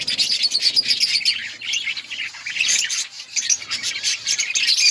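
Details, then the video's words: Many budgerigars in an outdoor colony keep up a steady, high-pitched warbling chatter, dense chirps and trills running together throughout. "Budgies birds chirping sounds in outdoor colony"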